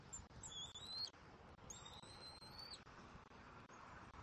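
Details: Bald eaglet calling at the nest in Southwest Florida on 17 February 2024 during a feeding with its mother: two faint, high, thin whistles, each held about a second, over soft background noise.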